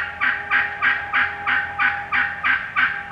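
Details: Wild turkey hen yelping in the woods: a steady run of ten hoarse, two-toned yelps, about three per second, evenly spaced, with a faint steady hum underneath.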